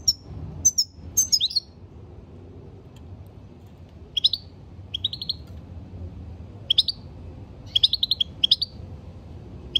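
European goldfinch giving bright, tinkling twitters and chirps in short clusters every second or two, high-pitched and liquid, over a faint low background hum.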